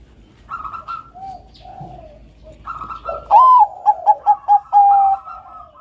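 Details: A Bangkok-type zebra dove (Geopelia striata), used as a lure or tutor for other doves, sings a loud burst of soft, mellow cooing notes, several short clipped coos ending in a longer one. Faint bird calls sound in the background.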